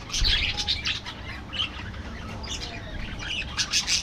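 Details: Budgerigars in an aviary colony twittering in quick bursts of sharp high chirps and squeaky warbles, several birds at once, a little softer in the middle and rising again at the end.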